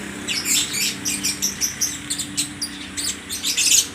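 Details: Many caged lovebirds at a bird market in Aceh Tamiang, Indonesia, calling back and forth: rapid, high, sharp chirps and squeaks overlapping in quick succession, over a steady low electrical hum and background murmur.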